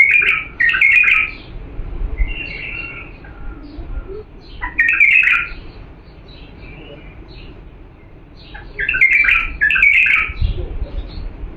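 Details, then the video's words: Bulbul from Diyala, recorded as a clean song for teaching young birds to sing: rich, warbled phrases in bursts about every four seconds, with softer whistled notes between them, over a low background rumble. "تغريد بلبل ديالى الاصيل لتخريج الافراخ"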